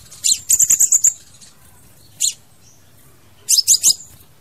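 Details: Crimson sunbird singing, a recording meant for luring or trapping birds: a quick high trill of six sharp notes, then a lone short note, then a closing cluster of three high chips.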